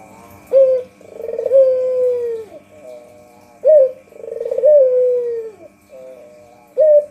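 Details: White puter dove, known as the Barbary dove, calling for bird luring: two and a half coos in seven seconds, each a hard opening note and a purring roll falling in pitch, regularly spaced, over a low hum.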